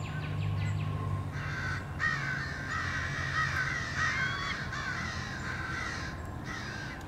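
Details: Harsh, drawn-out crow caws from a flock mobbing a male bald eagle near its nest on 30 March 2016, coming in clustered bursts with a faint whistle mixed in and a low hum.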